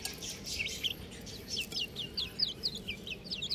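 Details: Little chicks giving rapid, clear peeps, high and falling, about three to four every second in a near-steady run, several birds overlapping, over a quiet low hum.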